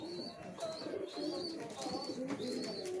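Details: Flock of pigeons jostling to eat: dense, low, burbling coos overlap continuously while about five thin, high, slightly rising chirps from a smaller bird cut in over three seconds.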